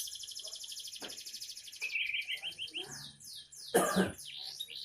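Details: Young canary's song opens with a high rattling trill, then a run of short repeated chirps and descending whistled slurs, interrupted by a brief harsh noise like a cough.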